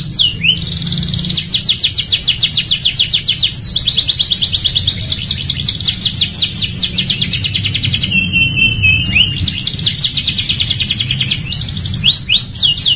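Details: Canary singing vigorously as a tutor recording for training other canaries: long, very rapid trills of repeated sweeping notes, broken by brief whistled slurs between phrases, with a faint low hum beneath.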